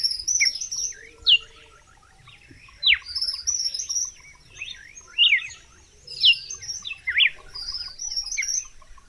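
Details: Red-cowled cardinal singing, recorded clean without added effects: loud, sharply sweeping whistled notes in short phrases, with many thin high chirps and soft rapid ticking from other birds behind.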